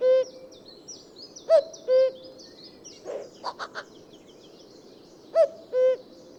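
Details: Common cuckoo giving its two-note cu-coo call twice, a higher note dropping to a lower, steady one, with short chirps from other birds between the calls and faint high twittering in the background.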